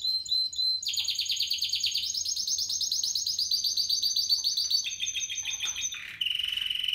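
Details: Spanish Timbrado canary from 2017 stock singing loudly: rapid metallic trills in blocks, one stepping from a high rolling tour down to lower steady trills, ending in a flat sustained note.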